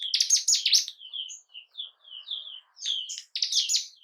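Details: Bar-winged prinia singing, played to rouse breeding condition and temper in caged birds: a loud burst of rapid sharp notes, then soft separate whistled chirps with short gaps, then another loud burst at the end.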